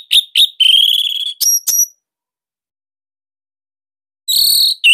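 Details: Bali orange-headed thrush used as a master to prompt reluctant birds: sharp chips lead into a long, steady, high whistle, then two short high notes, a long pause, and a final loud whistled burst.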